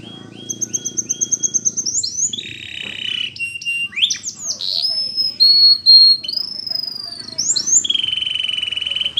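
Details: Russian canary flute-style song for training young canaries: clear whistled notes held steady, a rapid even trill of about a dozen pulses, then sliding whistles and long level tones, with a faint low hum beneath.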